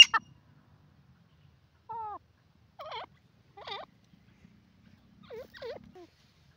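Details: Grey francolin, locally called dakhni teetar, giving a series of loud, clear, harmonic notes that bend up and down, delivered in short separated bursts of two to three notes against a quiet background after a brief sharp opening sound.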